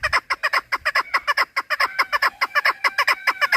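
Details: Chukar partridge in full cry: quick, harsh, slightly rising chuk notes repeated in a steady rhythm, overlapping voices suggesting more than one bird calling. Recorded for partridge hunting.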